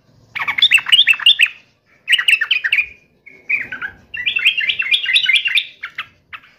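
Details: Yellow-vented bulbul in full song against a rival, three rolling phrases of liquid, chattering warbles separated by short pauses.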